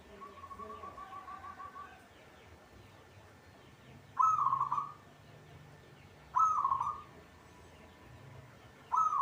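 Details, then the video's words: Zebra dove, a local bird, singing actively. After faint background chirping, three short rolling coo phrases arrive about every two to three seconds, each a quick low purring trill. "hitungan detik perkutut cepat bunyi atau gacor"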